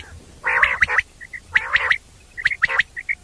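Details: Common quail calling, a sound meant for night use: sharp three-note phrases repeated at roughly one-second intervals, each followed by softer short notes, over quiet background.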